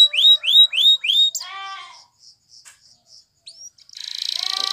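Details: Spanish Timbrado canary training song: four loud rising whistled notes, then a gurgling phrase, scattered soft clicks and single notes, closing with a fast metallic trill.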